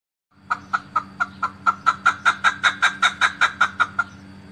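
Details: Chukar partridge, the mountain partridge or keklik, filmed in Tajikistan in 2020. A quick run of sharp clucking 'chuk' notes that starts softly and grows louder and faster, about fifteen notes in four seconds, over a steady low hum.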